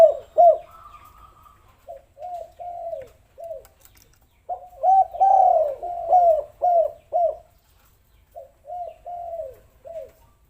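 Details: Spotted dove coo played as a lure to get reluctant doves calling: low arched cooing phrases, several notes each, in two bursts separated by a pause, with a short higher whistle early on.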